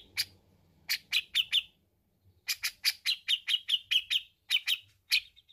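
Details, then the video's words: A grey-cheeked bulbul in full song gives bursts of sharp, bright chirping notes, several per second in quick runs separated by short pauses, with a faint low hum underneath. "Suara Cucak Jenggot Gacor"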